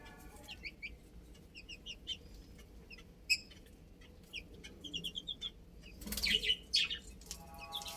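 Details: Several little chicks playing, chirping in short high peeps, often in quick pairs or small runs, with a louder burst of overlapping chirps and rustling near the end.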